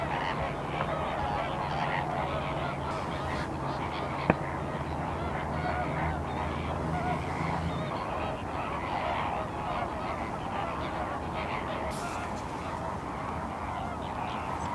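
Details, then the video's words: Many flamingos call together at Larnaca's salt lake in Cyprus. Their honking chatter runs on without pause, a low droning hum lies beneath the first half, and wind rumbles throughout. "flamingos at salt lake Larnaca Cyprus"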